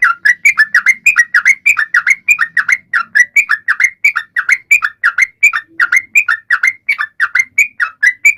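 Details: Sooty-headed bulbul song meant to encourage other birds, even silent ones, to sing; dense, continuous chatter of short whistled slurs at a fast, even rate throughout.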